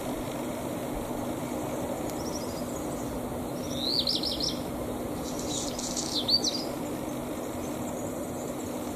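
A wren gives brief, high, rapid trilled phrases in short bursts, set against steady traffic-like hum and background noise.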